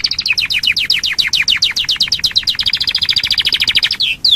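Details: Canary lure song meant to set other canaries singing: quick repeated down-slurred chirps, about ten per second, which settle into a smoother rolling trill before a final short whistle.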